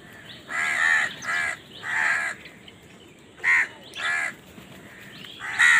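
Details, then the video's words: Repeated harsh crow caws as birds compete for food, long rasping calls in an irregular sequence of about six, each roughly half a second, over low background noise. "Crow Bird Crowing Sound || Crow ki Awaz part 68 || Crow Bird Fight for Food"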